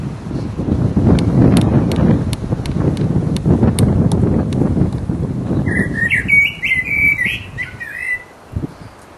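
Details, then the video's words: Mating song of a resident blackbird in full voice, heard over steady low rumbling and faint ticking clicks. Later comes a bright, wavering whistled phrase ending in high twitters. "The mating song of a Black bird"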